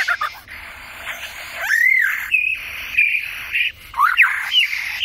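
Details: Superb lyrebird song, Australia, 2019: a sequence of arched and hooked whistled notes over a hissing, rasping background.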